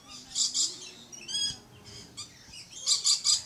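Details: Captive Red-collared lorikeet at a safari park in Florida: shrill, screechy bursts in paired pulses near the start, a clipped rasping note mid-clip, then a rapid triple of harsh screeches at the end.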